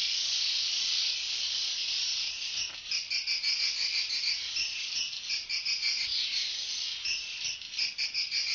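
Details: Swiftlets leaving early in the morning to forage, busy finding food. A dense, high-pitched twittering chorus with rapid chirps pulsing roughly three times per second over a steady hiss-like wash of many birds.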